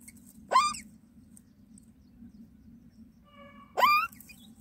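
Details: Myna nestlings being fed by their mother: two loud, harsh, rasping squawks that drop sharply in pitch, about three seconds apart, with a faint whistled tone just before the second.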